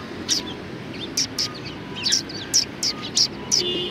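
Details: Sparrows arriving for food at a Tenmangu shrine, 6 March 2020: clipped high chirps, some paired, scattered across a few seconds, with softer twittering between them and a low background hum.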